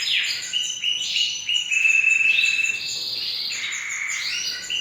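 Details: Canary in full song, stepped rolling trills at shifting pitches, including a long steady pure-toned trill held for over a second.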